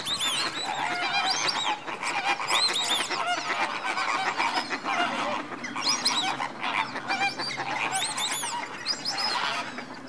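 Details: Greater flamingos at Slimbridge, January 2016, busy before roosting: a steady din of honking and gabbling from many birds, rising and falling without pause.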